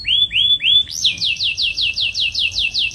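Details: Dark-coloured male jazari bird singing: three rising whistled notes, then a fast run of identical sweeping notes repeated about four times a second, bright and ringing, with a faint low hum beneath.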